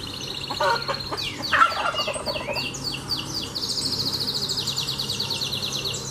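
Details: Canary song, fast and continuous, mixing descending slurred notes, a lower gurgling phrase, and long even rattling trills at a high pitch, with a constant low hum in the background.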